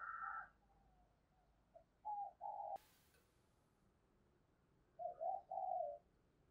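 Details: Female spotted dove call meant to prompt males to coo: a faint, low series of short hollow coos in two groups, with a higher note at the start and a sharp click between, over steady background hiss.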